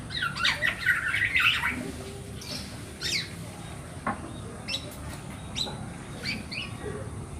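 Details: Black-naped oriole chick begging to attract its parent birds: a harsh, scratchy burst of squawking for about two seconds, then scattered brief rasping notes over a noisy background.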